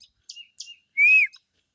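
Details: Male green ringneck parrot (rose-ringed parakeet) gives two short rasping chirps, then a loud clear slurred whistle-like screech lasting about a quarter second, ending in a faint chirp.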